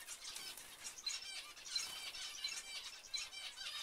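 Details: Zebra finches calling in a group: quick nasal toy-trumpet beeps and buzzy chatter, overlapping with no break.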